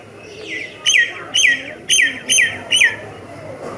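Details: Myna singing: a run of five sharp, harmonic-rich notes about half a second apart, each a quick downward-curving whistle with a click-like onset, over faint background hiss.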